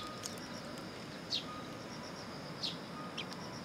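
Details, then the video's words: Sparrows arriving first thing in the morning to be fed at a Tenmangu shrine on 18 September 2022; three short, high, downward-slurred chirps spaced irregularly over steady low background hum. "朝一番 餌を貰いに来る雀達"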